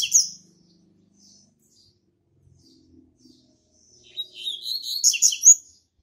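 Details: Double-collared Seedeater kept in captivity as a singing tutor: a short high buzzy note opens, a quiet gap follows with faint low sounds, then a fast run of sharp, twittering, trilled notes near the end.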